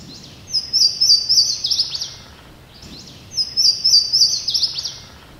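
Louisiana Waterthrush sings twice: each song opens with a few clear, high, slurred notes, then tumbles into a quick, descending jumble of twitters.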